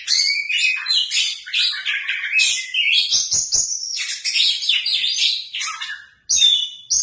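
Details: White-rumped shama kept as a cage bird singing vigorously, fast twittering and whistled phrases run together, a short silence near the end, then a clear pure whistle resumes the song.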